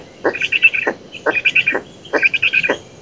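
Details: Black stork parent at its oak nest in Poland, 11 June 2017, chasing away an intruder; nest camera. Three harsh, buzzy call bursts of about half a second each, each opening and closing with a sharp click, roughly one per second.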